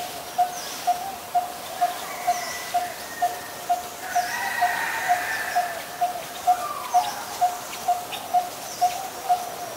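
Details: Coppersmith barbet, a very common resident of Ubon Ratchathani, Thailand, recorded 23 January 2020, keeps up a long, monotonous string of about twenty hollow tonk notes, evenly spaced, with faint distant birdsong mixed in.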